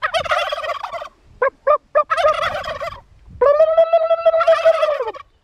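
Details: Suffolk turkey vocalising: a rattling gobble, three short sharp clucks, another rattling burst, then a long held nasal tone that breaks into more rattling before fading.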